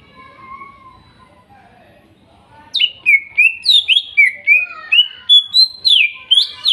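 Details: Greater green leafbird (cucak ijo), forest-caught in Kuningan, trotol and nopeng types: soft low warbling at first, then a loud steady series of clear slurred whistles, about three every second, used to prompt a silent bird to sing.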